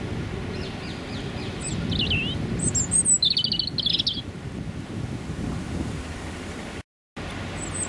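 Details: Male European robin singing its territorial song at 30-60 cm range on a freezing January morning with a biting northerly wind, London rush-hour traffic behind; brief high thin twittering phrases over a loud low traffic rumble, with a short dropout near the end.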